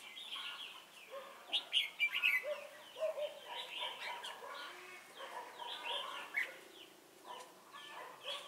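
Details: Red-whiskered bulbul serving as a decoy during trapping at Chùa Hương on 28 November 2017: lively bubbling whistles and chirps in quick succession, loudest early on, then steadier warbled phrases.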